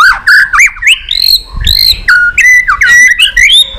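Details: Shama singing a rich, varied song meant to excite and train other shamas: loud looping whistles that twist up and down, broken by short pauses and a brief rustle midway.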